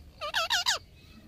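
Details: Indian ringneck parakeet talking: four quick, rich harmonic syllables within a second, each bending in pitch, the last sliding downward, over a quiet background.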